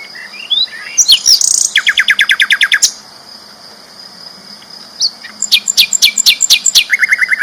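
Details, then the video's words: Loud flycatcher song for tutoring champion songbirds: scratchy notes leading into a long, even rattle of repeated chips, a pause, then another steady run of repeated notes. "BURUNG SIKATAN LONDO GACOR ISTIMEWA KERAS LANTANG"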